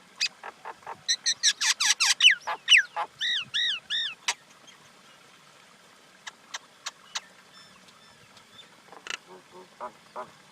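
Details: Common Indian myna delivering a busy burst of harsh rasps and sharp clicks, then arched whistled notes, then sparse clicks and low gurgles.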